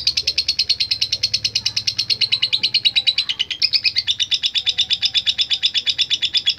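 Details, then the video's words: Lovebird latah gacor song meant to draw rivals in songbird contests: a dense stream of sharp, high chattering notes at a steady rapid pace, dropping slightly in pitch through the middle and staying loud throughout. "Ampuh Memanggil Lawan | LOVE BIRD LATAH GACOR"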